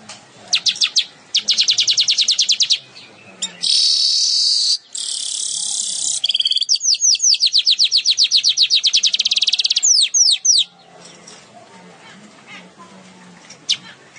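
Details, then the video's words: A weaver (manyar) sings actively, high, fast rolling trills and buzzy runs of rapidly repeated notes, canary-like in style, broken by brief pauses. "Burung Manyar gacor, isian kenari"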